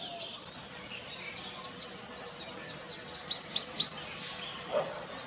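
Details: Courtship song of a purple sunbird: one loud, sharp chirp, then a stretch of quieter high twittering, then a quick series of four or five bright, rising high notes before it fades.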